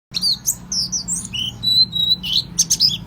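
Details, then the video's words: Oriental white-eye song played as a lure for other white-eyes: a dense run of high, thin chirps and squeaky slurred notes with a few brief steady whistles, continuous over three seconds. "kicauan burung peleci pancingan langsung nyawut"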